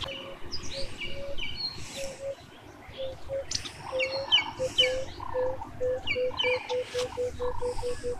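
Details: Male Buff-crested Bustard courting a female in Tsavo East National Park, Kenya: a series of short, low, even tonal notes that quicken into a steady run, with higher chirps and twitters from other birds overhead.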